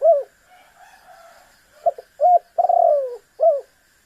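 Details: Spotted dove cooing, used to provoke a rival bird into calling: a falling coo, a pause, then a phrase of two short notes, a long purring coo sliding downward, and a clipped final note, with a faint steady hum behind.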